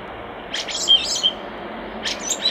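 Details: Common starling near a nest box giving short, bright chirps and a brief whistled note, in two quick bursts over a soft, steady background hiss.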